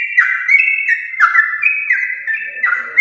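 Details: A yellow-vented bulbul gives a long, continuous song used as a lure for pet bulbuls: an unbroken bubbly warble rolling quickly between two mid-high pitches with sharp upward flicks every half second or so.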